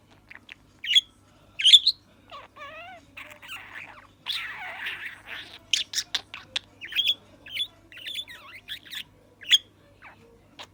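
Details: Pet budgerigar, a young male that has not yet learned to talk, warbling a rapid, varied run of high chirps, wavering squeaky notes and buzzy chatter, almost continuous.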